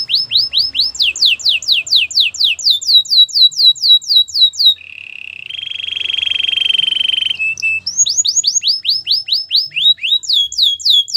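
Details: Belgian canary in song: rapid repeated downslurred whistles, then a long low-pitched buzzing roll lasting several seconds, followed again by quick falling whistled phrases.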